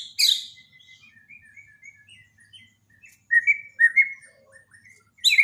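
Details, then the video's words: Borneo white-rumped shama, daily training song for a shama gone silent: a loud sharp note, then a string of quiet even whistles, a burst of louder slurred notes, and another sharp note at the end. "borneo dokter burung murai mandek (Masteran harian)"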